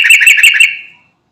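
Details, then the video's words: Sooty-headed bulbul calling companions: one short loud burst of rapid bubbly chattering notes, trailing off into a fading ring. "Burung Trucukan Garuda Gacor Manggil Teman"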